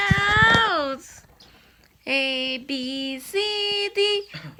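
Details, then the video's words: Joseph, a pet umbrella cockatoo, sings mimicked words 'good bird' in a strongly harmonic, nasal voice, a long sliding phrase followed by several shorter, steadier sung notes. "our umbrella cockatoo singing good bird good bird"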